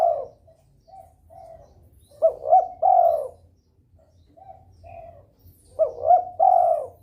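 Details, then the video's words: Breeding-mood spotted dove cooing steadily to provoke rivals to answer; faint soft coos lead into two full phrases of three coos, the last note longest and strongest, with quiet background. "DERKUKU birahi gacor merangsang lawan ikut bunyi.."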